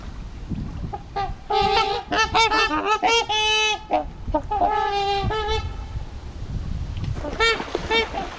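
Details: Winter flock of 28 trumpeter swans on the Huron River at Ann Arbor, Michigan, February 25, being fed corn; loud nasal horn-like honks from several birds overlapping in bursts, some rising and falling, with gaps of quieter water and background noise.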